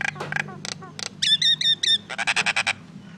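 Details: Common myna making noise: harsh rasping squawks, a set of ringing whistled notes, then a fast burst of grating chatter.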